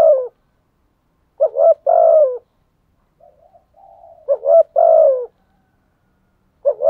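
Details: Decoy spotted dove cooing to draw in wild birds: repeated phrases of a clipped double note and a drawn-out falling coo, with a soft low murmuring coo between phrases; quiet otherwise.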